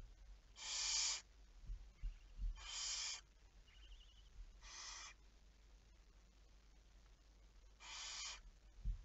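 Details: Barn owl recorded on 11 May 2019 at 23:34, at night: four harsh, hissing screeches about half a second long, spaced two to three seconds apart, with a faint thin trilling note in between and low background rumble.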